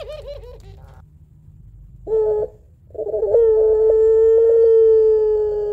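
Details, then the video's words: Puter pelung dove, a Barbary dove kept at home, known for a long crying two-note song used to lure doves. Brief wavering coos, a short note, then a long, steady, mournful held tone after a pause. "Puter Pelung Gacor Suara Menangis Panjang Kuwok 2 Not Sangat Cocok Buat Pancingan Puter Dirumah"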